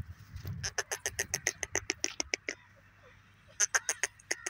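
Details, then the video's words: Teetar, a francolin, giving a long run of about fifteen harsh, rattling notes in quick even succession, a second of quiet, then a shorter burst of similar notes, with low rumbling background noise. "teetar k agay teetar ki awaz"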